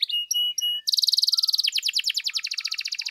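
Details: Canary singing to provoke other canaries to sing: a few clear, sustained whistled notes, then a fast rattling trill followed by rhythmic, rolling buzzy phrases in quick succession.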